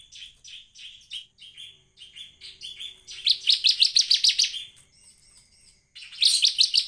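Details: Actively singing bar-winged prinia, meant as a lure to set other prinias singing: a run of short repeated chirps, then a loud, fast, rattling trill of sharp notes, a pause, and another loud trill burst.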